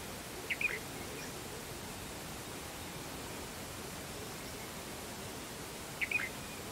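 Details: Bulbuli, the red-vented bulbul, utters two quick chirped note clusters roughly five and a half seconds apart, with only soft hiss in between.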